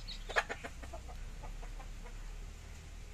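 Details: Chicken sounds from 15-day-old baby chicks in a village setting: a few loud, harsh clucking notes in the first second, then softer repeated clucks fading over a steady low hum.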